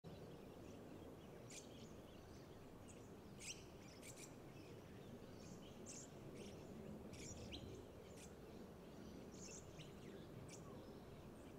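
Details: Little Lorikeets at Marstaeller Rd Reserve, Mount Crosby, south-east Queensland, 3 May 2023, give brief, shrill, high-pitched zit notes in scattered bursts over a steady low rumble of background noise.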